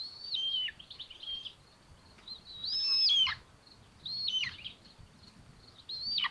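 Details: From a Common Buzzard nest in Tiszalök, Hungary, where two chicks share food on June 8, 2022: a run of high, thin whistles that fall sharply in pitch, four main calls with softer notes between.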